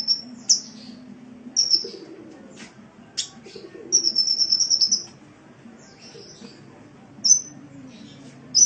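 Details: Sunbird song for training caged birds: thin high whistles and chips, then a sustained fast trill of about a second, followed by scattered single sharp notes; soft low hum behind.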